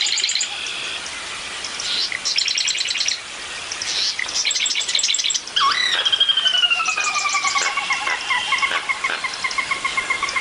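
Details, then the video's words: Soras in a wetland on a passive recorder, very vocal and territorial, one calling spurs others: a long descending whinny of rapid pulsed notes sliding down, over scratchy chips and trills of red-winged and yellow-headed blackbirds. "You can hear the redwings go quite a few times, but definitely hear soras going on and on and on."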